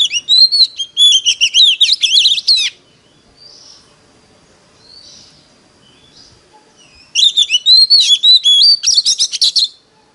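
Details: Decoy Oriental magpie-robin in competitive singing, used to call in wild birds: two bursts of rapid, varied whistled and chattering phrases, rising and falling, about three seconds each, separated by a quiet gap with faint distant notes.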